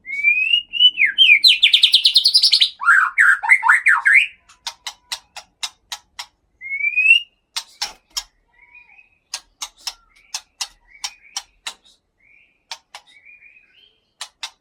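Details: Captive Aceh white-rumped shama, male caught November 2013 at Bahorok in the Leuser mountains: four seconds of fast rising and tumbling whistled phrases, a single upslurred whistle, then steady crisp clicks with small soft chirps between.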